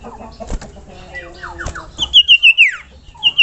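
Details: Sirtu, the common iora, singing gacor: a few soft descending chirps, then five bright high whistles in a quick even series, sliding down into a falling note and one more whistle at the end.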